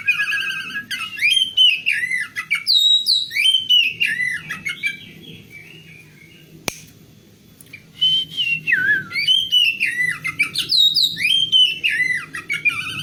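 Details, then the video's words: Female oriental magpie-robin singing, used to lure a male that has stopped singing. Clear, varied whistled phrases rising and falling, a quiet stretch with one click midway, then more whistles over a low steady background hum. "KACER BETINA untuk pancingan KACER JANTAN MACET BUNYI"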